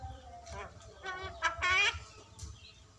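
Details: Javan myna mimicking human speech, saying the word "kopi" (coffee): short harmonic syllables in quick succession, with the loudest pair near the end, over faint low background hum.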